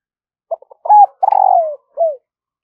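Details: Spotted dove, a decoy bird, calling in the morning to lure wild doves: a few short soft clicks, then a low hooting coo, a longer drawn-out falling coo and a final short coo, in a quiet setting.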